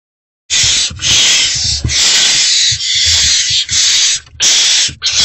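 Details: Great horned owl owlets in nest box, still unfed, reacting to an adult's return before dawn on 3 March 2024; long, harsh, breathy hisses run almost unbroken, with short gaps near the end.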